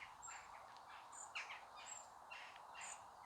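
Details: A young song thrush, sitting near a rocky canal path in the UK, gives thin, very high squeaks about once a second, begging its mother for food, over a steady hiss of outdoor background noise.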